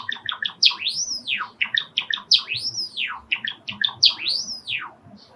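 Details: Male sakura Java sparrow in a home, excited by wild sparrows' calls drifting in from a park, repeats its song phrase three times: rapid clicking chips, each ending in a long arched, bell-like whistle.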